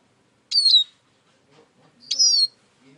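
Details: Two clear, high, downslurred whistled notes from a Eurasian siskin about 1.6 seconds apart, with faint low sounds in between.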